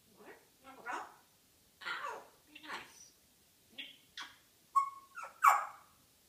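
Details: African grey parrot chattering in the morning: a quick, irregular run of speech-like mumbles and rasps, then a short clear whistle and a louder closing squawk.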